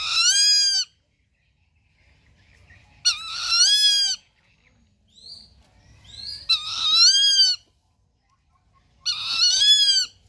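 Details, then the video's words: Rufous-winged buzzard calling: four loud, harsh, harmonic-rich screams, each just under a second long with a slightly falling tone, repeated about every three seconds. Quiet gaps separate them, with faint low rumble and a brief thin note between calls. "RRufous-winged buzard"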